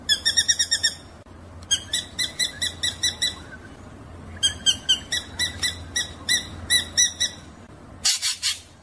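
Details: Drongo in a rolling song: quick bursts of bright, ringing harmonic notes, about five or six per burst, repeated in runs, with a short harsh rasp at the end and a faint low hum underneath.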